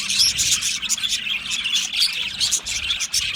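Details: Budgerigars, said to be lonely and giving loud contact or distress calls; busy high chirping chatter with bright, sharp notes that pulse in short bursts.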